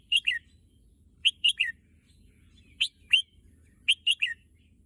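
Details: Pet red-whiskered bulbul said to want to go to the contest field sings quick three-note whistled phrases, the last note dropping in pitch, repeated about every second and a half.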